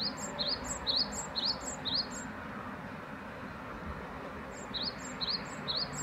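Great tit giving bright, high two-note phrases, about two per second, in two short bursts over a steady background hiss.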